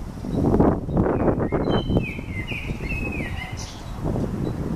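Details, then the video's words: Eurasian blackbird singing in old small-leaved lime trees on 15 May 2013: one fluted, warbling phrase of gliding notes in the middle of the clip, over a steady low rumble. "Koltrastar sjunger i gamla lindar"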